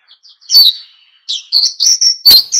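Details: Energetic ngalas-style song of an oriental white-eye, played to spur other birds to sing: short high slurred chirps, a brief gap, then a quick string of sharp, bright twitters and a clipped final note.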